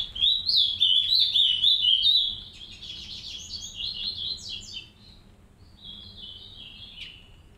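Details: Captive Green-winged saltator (Saltator similis) family in an aviary, a pair tending three chicks: rapid, high chirping twitters, several notes a second, loud then softer and scattered, over a low background hum.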